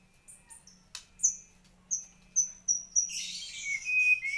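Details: White-rumped shama singing: clear, high whistled notes spaced about half a second apart, ending in a dense burst of rapid, varied twittering phrases. A steady low hum runs underneath.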